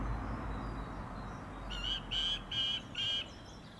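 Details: Song thrush singing in a garden in April 2021, repeating a flat buzzy phrase four times against a steady low hum.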